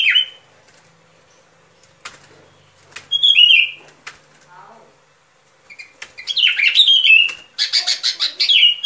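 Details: Sooty-headed bulbul song for luring birds into traps: a brief high slurred note, a clear descending whistled phrase, then an extended stretch of fast, pulsing chatter near the end.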